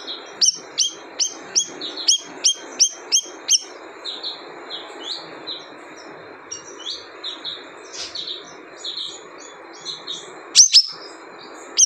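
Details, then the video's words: Siri-siri calling: a run of about nine sharp, clipped rising-and-falling notes in quick succession, then softer scattered chirps and a final pair of loud high notes. "Suara Unik Burung Siri - Siri"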